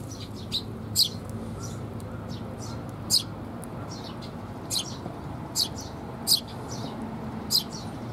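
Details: Eurasian tree sparrow parents feeding newly fledged young, 6 May 2021. Bright, high chirps repeat every half second to a second, some louder and sharper, others faint, over a low steady hum.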